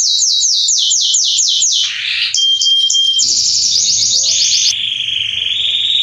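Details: Male Belgian canary, Salsa line, singing to warm up other canaries: a string of quick descending whistled slurs, a brief sharp tone, then high and lower fast rolls, with low knocking sounds in the background.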